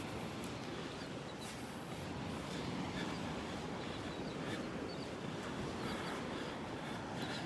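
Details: Steady surf and wind noise on a beach fill the recording, with no animal sound heard.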